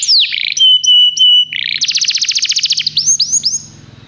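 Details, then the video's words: Canary song meant to train other canaries: a falling whistle, then long flat whistled notes, then a fast buzzy trill. It fades out with a few rising slurs over a low hum. "O melhor canário canário para treinar seu canário"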